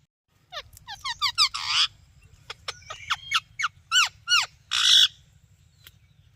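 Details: Parrot chirping steadily: a lively series of loud, harmonic, downward-curving chirps, some in quick runs of three or four, broken by two harsh, broadband squawks, over a low background hum.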